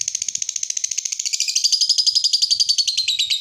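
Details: Lovebird in full song, used as a training lure for other lovebirds: a continuous fast buzzing trill of rapidly pulsed notes, around three pulses a second at first, growing louder and slightly falling in pitch.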